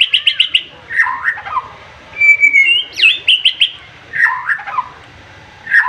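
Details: Excited white-rumped shama singing sharp 'tembakan' phrases to stir a rival: a quick run of five clipped whistles, lower warbled notes, a thin sustained whistle, then more rapid whistled phrases and slurred descending notes.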